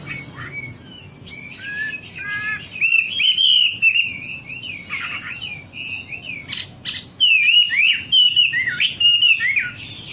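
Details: Lure song of a wambi, meant to spur birds into song: quiet scattered notes at first, then bursts of rapid, warbling whistles, broken by short gaps and a few sharp clicks.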